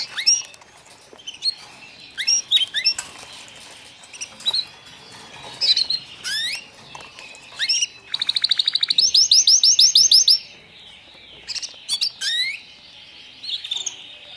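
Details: Newly arrived white foreign canary chicks give repeated sharp chirps and swept notes, then a fast rattling trill lasting about two seconds, followed by more scattered tweets.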